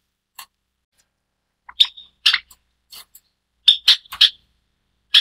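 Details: White Java sparrow, a white variety of Java sparrow, an introduced bird in Taiwan, uttering brief high chips and clipped notes, scattered then clustered in a quick run of four near the end.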